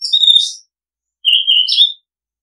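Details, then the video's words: Oriental magpie-robin delivering two loud warbled phrases of mixed whistles and buzzy high notes, each about half a second long, separated by a short silence. "Oriental Magpie Robin Sound Long play เสียงร้อง นกกางเขนบ้าน"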